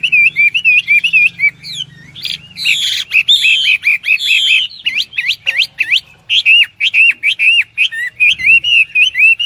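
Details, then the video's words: Lively Hwamei song of looping whistles that break into harsh, scratchy bursts, then a long series of sharp rising and falling whistled strokes delivered at a brisk, uneven pace. "wambi \ hwamei gacor"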